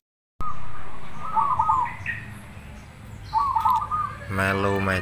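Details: Black cemani zebra dove giving its cooing song: a held note leading into a rapid rolling trill, heard twice, with a man speaking at the end over steady background hum.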